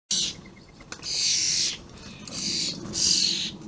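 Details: Very vocal juvenile and adult common starlings, recorded 28 May 2016, giving long, harsh, hissing rasps, about four drawn-out bursts with quieter gaps between.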